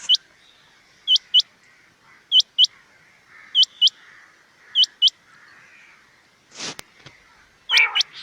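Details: Rain quail call used as a hunting lure: sharp, high, metallic double notes, paired and repeated about every second and a half, with two brief rustling bursts near the end.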